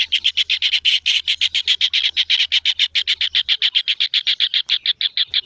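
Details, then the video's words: Kingfisher nestling giving a rapid series of scratchy, high chirps, close to four per second, steady and loud from start to end, over a faint low hum. "suara anakan burung tengkek udang"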